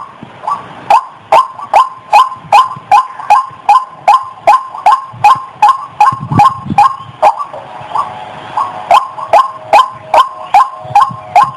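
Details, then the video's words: Female white-breasted waterhen in breeding condition, about to mate. It gives a steady series of harsh, nasal calls, about two and a half per second, repeated without pause over a low background hum. "Suara Burung Ayam Ayaman/Ruak Ruak Betina Lagi Birahi"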